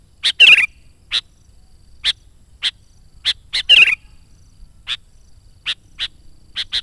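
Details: Sooty-headed bulbul (kutilang) in full, active song, used as a lure for wild bulbuls: sharp high chips repeated at uneven intervals, broken twice by a quick bubbly warbled phrase; quiet background.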